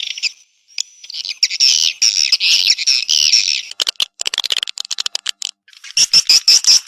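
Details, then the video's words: Swiftlet response call: dense, buzzy, high chirps run together in rasping bursts, then break into rapid clicking ticks, and the buzzy chatter resumes near the end. "Suara Walet respon"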